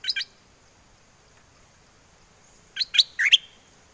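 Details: Caged bulbul from Chana, Songkhla, southern Thailand, singing in wild style to call a mate: two quick chirps at the start, then after a pause a cluster of four bright, slurred whistled notes.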